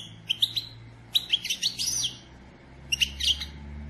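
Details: European goldfinch hen, kept as a pet, calling to excite the male into singing: quick high twittering chirps in three short bursts, with a steady low background hum.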